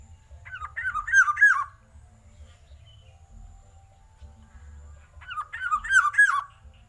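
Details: Black-naped oriole, described as a showy bird with a loud voice, giving two bursts of four or five looping, ringing notes, each burst about a second long and separated by roughly four seconds of near silence, over a low background rumble.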